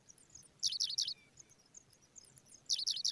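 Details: Pipit nestlings being fed by a parent: thin, high squeaky chirps in quick clusters of three or four, with a quiet gap between bursts over a soft background hiss.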